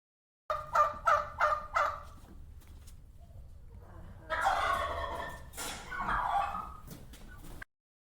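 A turkey gobbles: a quick run of four rattling notes, then a longer, rougher gobbling burst with a second one after a short pause.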